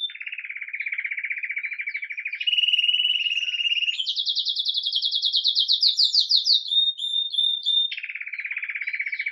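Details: Belgian canary of red agate mosaic colouring, lively at daybreak, singing Campainha song recorded live: low buzzy roll, smoother higher roll, a fast bright trill, a few whistled notes, and the low buzzy roll again.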